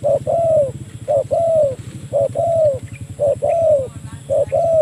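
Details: Spotted dove calling a rival, a call used to lure birds: a short cooing note followed by a longer, slightly falling coo, the pair repeated about once a second, over a low rumbling background hum.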